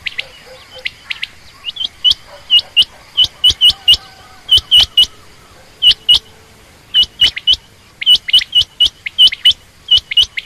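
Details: Female quail, common or rain quail, giving a long, steady series of bright, clipped chirps in close pairs, repeated almost nonstop over ten seconds, with sharp clicking sounds mixed in.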